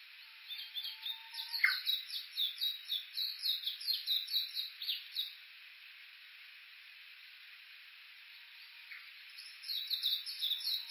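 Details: Japanese bush warbler at Kuga, Suo-Oshima, Japan, on Uguisu Road beneath Mt. Yakushi, Olympus Voice-Trek V-82: a low level whistle snapping into a sharp flourish, followed by a fast repeated high series, a quiet gap, then the series returns.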